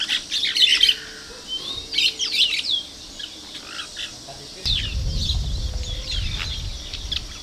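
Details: Plain parakeets recorded on 2 December 2012: bursts of shrill, high chattering chirps and short squeaky notes, busiest in the first three seconds, then a low rumbling noise under sparser chirps.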